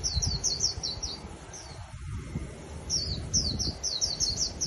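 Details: Caged white-eye, freshly trapped from the wild, sings two bursts of very high, quick, falling chirps separated by a second-long gap, over a soft low background rumble.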